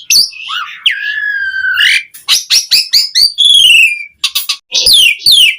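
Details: Song of an Asian pied starling, used as a lure to get other starlings singing: a long flat whistle, clicks and rasping notes, a descending buzzy trill and sharp slurred whistles.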